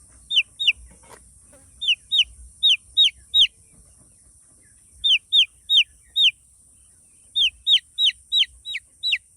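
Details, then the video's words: Chicken chicks on a poultry farm peep in short bursts of two to five shrill, high, curving notes separated by brief pauses, over a faint steady high hiss. "Chicks sound, chicks sound effect, chicks original sound"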